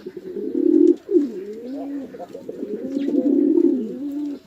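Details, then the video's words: Male and female pigeons fighting at a house pigeon farm in a Chittagong District village, Bangladesh: low, throaty coos swelling in two long rolling phrases with a brief dip between them. "Awesome Male & Female Pigeon Combo Attacks Sound"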